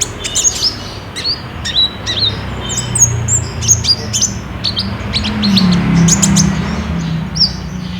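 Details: Olive-backed sunbird in active song, used as a lure to prompt a caged bird to sing, recorded on a Samsung J5: rapid high, thin chirps and short sharp notes in quick bursts over a low background hum.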